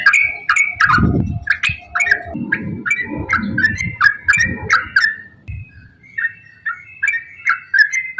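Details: Yellow-vented bulbul in long, rapid song, used to prompt other bulbuls into singing: bright whistled notes rising and falling in quick chattering runs, with dull low thumps and rumbling noise under the first half.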